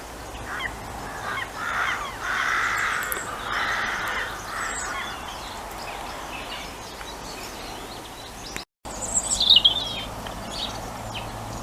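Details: Western Jackdaws in a garden give harsh, clipped calls in a loose burst over a few seconds, then a thin high whistle from another small bird.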